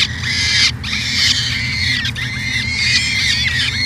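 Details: Nest-cam recording of a peregrine falcon in Edmonton, Canada, 2017: shrill, harmonic wailing calls, each a drawn-out note bending down at the end, given about every second over a constant low hum.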